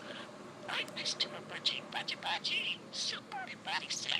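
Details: Pet budgerigar talking in a fast, squeaky voice, saying words such as "super" and "super-budgie", its words broken up by high chirps.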